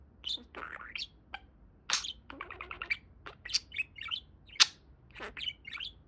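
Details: Pet budgerigar indoors giving a rapid, varied warble of high chirps, buzzy rattles and short squeaky notes in uneven bursts, the talking-bird chatter running continuously over a quiet room background.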